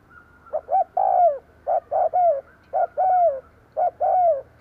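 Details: Spotted dove used as a lure for wild doves, cooing in quick succession: several short soft notes interleaved with long, mellow coos that slide down in pitch, about once per second.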